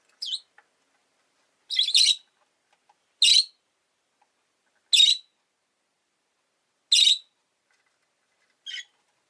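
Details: Rosy-faced lovebirds, a pair huddled at the entrance, give a series of six shrill, rasping chirps at irregular intervals of one to two seconds, the first and last notes shorter and thinner.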